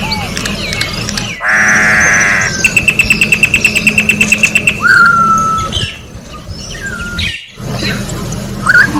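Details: Singing orange-backed troupial recorded in nature: a broad raspy buzz, a quick regular run of high clicking notes, a downward-sliding whistle, then softer scattered whistles.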